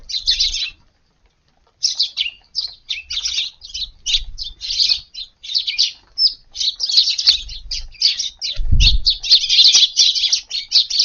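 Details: A group of Eurasian tree sparrows feeding in a garden at dawn on a hot August 19th; after a brief pause, quick, high, scratchy chirps repeat irregularly, about 80 per minute, thickening into continuous chatter near the end, with a low thud midway.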